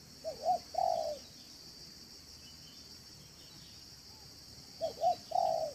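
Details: Spotted dove calling in a yard, manggung and meratus style used to attract doves: two short phrases of soft doubled notes and a longer coo, about four seconds apart, partly masked by a broad hiss and a high steady whine.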